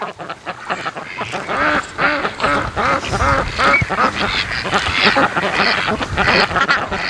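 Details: Domestic ducks raised by their keeper, on day 107, during an afternoon visit when a new whistle is being tried on them. The other flock responds with dense, rapid, repeated nasal quacks, overlapping callers, with occasional human voice.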